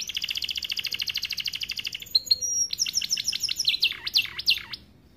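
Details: Starblue AF canary's tutoring song for young birds: a long, even, high pulsed trill, followed by rising squeaks and a series of loud, steep down-and-up swept whistles that fade out.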